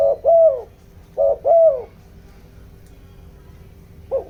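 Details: Decoy spotted dove cooing to attract wild doves, bronze-voiced: two low double coos in quick succession, each a short note then a drawn-out falling hoot, followed by quiet and the start of another.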